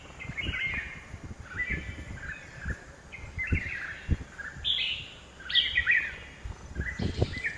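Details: At a home garden in Hosur, a red-whiskered bulbul gives brief, warbling whistled notes every second or so, with rustling and low knocks below.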